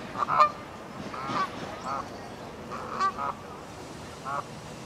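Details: Canada geese at Herten castle park, Germany: a series of nasal, two-toned honks spaced irregularly, roughly one or two per second, over low background murmur.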